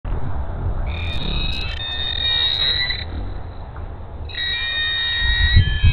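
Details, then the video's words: Bald eagle mother on the Hays nest with three eaglets, April 27, 2022, around 11:55 am, warning off a red-tailed hawk flying too close: two bursts of high, thin, chittering calls over a steady low rumble of wind. "Bald Eagles Mom warns off the Nest a Red-Tailed Hawk"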